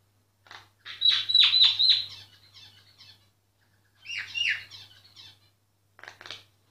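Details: A myna sings, unaware of being recorded: a rapid rattling series of buzzy chattering notes, a softer trailing warble, then another chattering burst and a brief final rattle.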